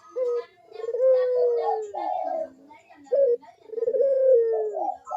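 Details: Barbary dove lure recording for prompting quiet doves: a short coo, then a long level note sinking at the end, followed by rougher higher phrases and a second long descending coo.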